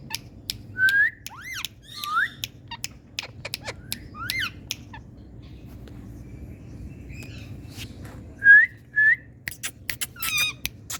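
Indian ringneck parrots give short clear whistles, some rising and some falling, in scattered bursts over sharp clicks and clattering, with a low steady hum behind.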